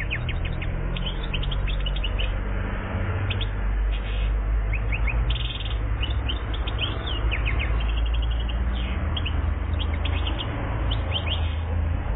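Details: One-year-old European goldfinch (chardonneret), Algeria, singing quick tinkling twitters and short chirps in bursts throughout, over a steady deep rumbling hum.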